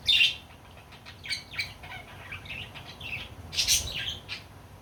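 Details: Budgerigars chirping and flying, giving short, scratchy bursts of high warbling notes.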